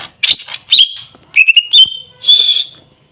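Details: Greater green leafbird (cucak ijo) lure song for birds gone quiet: a few spaced bursts of clear whistles and buzzy notes, some held briefly, separated by short silences.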